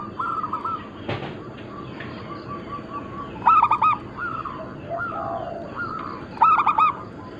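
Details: Local zebra doves, Bangkok cross, recorded as lure or training material: short coo phrases repeat, with two loud three-note coo bursts about three seconds apart and a brief thump early on.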